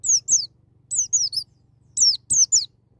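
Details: Wild-style white-eye singing aimed at prompting a young bird: three quick groups of high descending whistles, each of two or three notes, over a low background hum.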